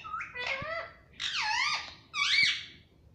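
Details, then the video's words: Talking Indian ringneck parakeet kept as a pet, described as saying "Mummy Papa": three drawn-out, nasal, wavering speech-like syllables, the middle one longest and sliding down, sounded indoors. "Mummy Papa Bolne Wala Parrot || Talking Parrot"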